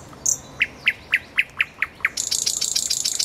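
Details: Common nightingale singing by a road: a series of seven evenly spaced, loud clipped notes, then a sudden dense, buzzy high rattle to the end.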